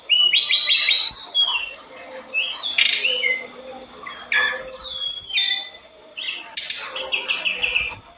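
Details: Energetic olive-backed tailorbird, said to stir up rival birds, pours out a rapid, high-pitched medley of trills, sharp chips, and short sweeping whistles, with phrases tumbling one after another and brief quieter gaps.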